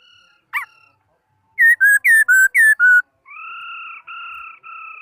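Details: A laughingthrush sings a brief sharp note, then six loud, clear whistles that fall slightly in pitch, delivered rapidly, followed by three long, level whistled tones.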